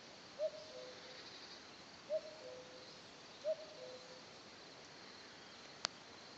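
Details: Common cuckoo in the Lot, France, giving three soft falling two-note 'cuckoo' calls spaced over a second apart, then a single sharp click near the end, with quiet background hiss.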